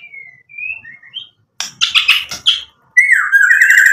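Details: White-rumped shama singing vigorously, used as a lure to provoke rival shamas into answering: thin falling whistles first, then a pause, a burst of harsh buzzy notes, and a rich slurred whistle running into rapid repeated chirps at the end.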